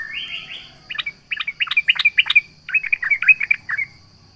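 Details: Sooty-headed bulbul (trucukan) singing to provoke rivals: an opening rising trill, then bursts of rapid, bubbly, fluting phrases with short pauses between them, over a faint steady high tone.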